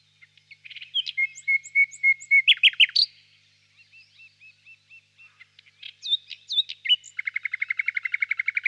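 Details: Common nightingale singing: a run of steady high piping notes, a burst of loud sweeping notes, a pause with soft scattered twitters, then a fast even rattle of repeated clicks near the end.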